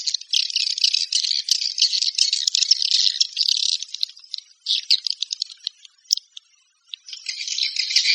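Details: Swiftlets giving the walet panggil call: a continuous high, raspy, rattling twitter for several seconds, thinning to sparse isolated ticks and short pauses, then swelling back into dense buzzy chatter at the end.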